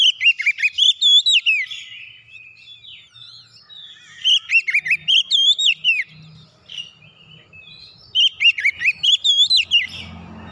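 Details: Oriental magpie-robin singing, played to make a silent bird sing again: three long phrases of rapid, strongly modulated whistles, each packed with a dozen or more notes, with brief quieter pauses and faint chirps between.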